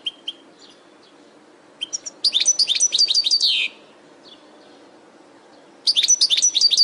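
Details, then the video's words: Training recording for caged birds of a European goldfinch: a few brief chirps lead into a rapid, liquid, twittering burst with buzzy trills, a pause, then another energetic tinkling phrase begins. "Goldfinch From Training Video"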